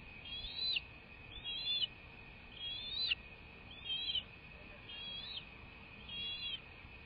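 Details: Nesting bald eagle on a live camera, 21 March 2024 at 08:45 in the morning. A series of six high, arching whistled notes comes at even intervals, about one per second, each closing with a quick falling snap.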